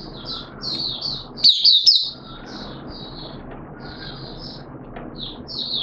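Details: Mata Puteh, or oriental white-eye, caged and on the second day of monthly deworming, 13 September 2022, giving softer scattered high chirps with one louder twittering burst in the middle, against steady low background noise.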